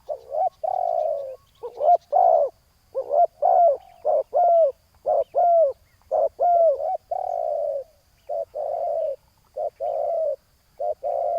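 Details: Rival spotted doves drawn to a ground decoy: a long, busy sequence of overlapping coos, bright arched notes and husky flat ones alternating rapidly, suggesting more than one bird calling.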